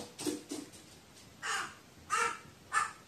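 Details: Crow, apparently calling to itself and seemingly frightened: two soft short notes, then three hoarse, drawn-out caws spaced about half a second apart.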